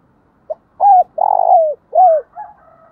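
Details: Decoy spotted dove calling across the countryside to lure wild doves: a short soft note, then low cooing phrases, including a long throaty croo that falls at its end, with a faint trailing note.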